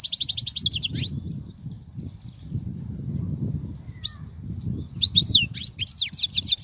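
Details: European goldfinch song, played for teaching young goldfinches to sing: rapid high twittering trills, a silent stretch with low background rumble, then bright chattering, rising and falling notes resume toward the end.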